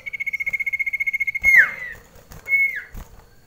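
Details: Common iora (sirtu) kept indoors at home during a rainy spell, in a close-range mental contest with another bird: a fast rapid-pulsed trill of about twenty notes, then a long level whistle that drops away, and a second shorter falling whistle.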